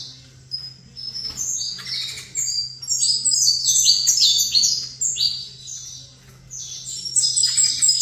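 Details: Saffron finch kept in a cage sings toward a facing rival: a quiet start, then lively high chirps and slurred notes in clustered phrases, a lull, and a final bright burst, over low hum.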